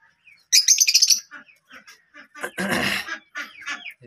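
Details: Caged pet lovebirds, one suffering an eye infection, beside a swing their owner built; a quick flurry of shrill chirps, then a harsher rasping burst and several short squeaky notes.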